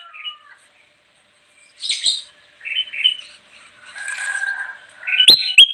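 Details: Bulbul (kutilang emas) song for luring wild birds, with short separated whistled and buzzy phrases, a sustained lower note, then a final sharp chattering flourish.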